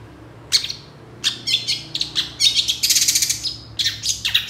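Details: Moulting long-tailed shrike singing energetically, a recording used to provoke other shrikes to sing: harsh, scratchy bursts and buzzy high notes in irregular quick phrases, growing denser toward the end.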